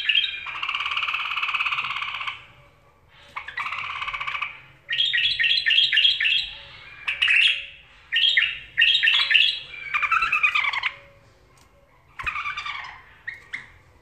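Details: A pet bulbul gives bright, chattering phrases of quick, bubbly notes in short bursts separated by brief pauses, over a faint low hum.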